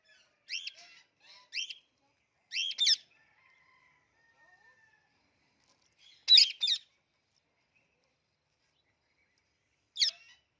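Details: Clicking sounds from a talking Indian ringneck parrot kept as a pet: paired snappy clicks early on, a doubled click near six seconds and a lone click at the end, separated by long quiet gaps.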